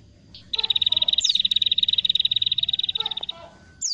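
A prinia gives a loud, rapid, high trill of clipped notes lasting nearly three seconds, with a couple of thin downslurred whistles before and after.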